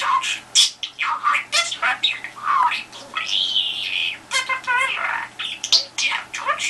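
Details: Pet budgerigar calling at a telephone to draw a response: rapid scratchy chatter of short buzzy bursts and squawks, with a sustained warbled note near the middle and a few clicking chirps, in a small quiet room.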